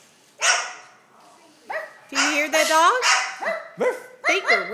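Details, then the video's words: Rehomed male Moluccan cockatoo kept as a household pet, imitating a dog's barking when the doorbell rings. One sharp opening bark, then a run of rough, harmonic barks with rising-falling wails between them, and people talking alongside. "Moluccan Cockatoo Barks like a dog when the doorbell rings"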